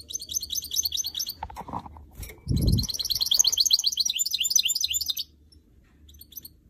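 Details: Caged goldfinch mule, a canary and goldfinch hybrid, singing in two bursts of rapid, high, twittering trills, the second lasting nearly three seconds, with a dull thump and low background hum between them.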